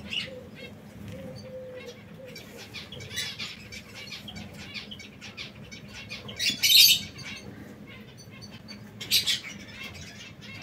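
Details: Two caged male canaries fight, giving aggressive, brief, high, scratchy chirps with bursts of fluttering wings, the loudest flurries near the middle and end; the reason for the fighting is unknown.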